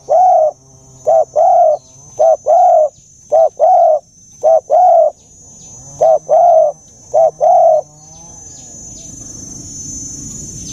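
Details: Dove calling in the deep 'già rừng sát bổi' voice: seven regular pairs of soft low coos, each a clipped note then a drawn-out one, followed by quiet rustling noise and a faint constant high tone.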